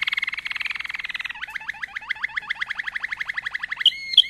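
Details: Malinois canary song: a long, even rolling trill of rapid pulses, then a clear sequence of quick downward-slurred notes repeated about three per second, ending with two bright high chips.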